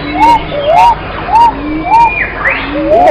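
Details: Pigeons calling: short arched, whistle-like coo notes repeated roughly every half second, with several birds overlapping and fainter lower notes beneath.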